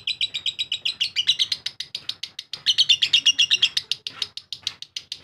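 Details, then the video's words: Lovebird giving its long ngekek song, a continuous rapid chatter of harsh, clipped notes repeated several times a second, with brief surges in loudness midway and no break throughout. "Lovebird RAJA ngekek istimewa"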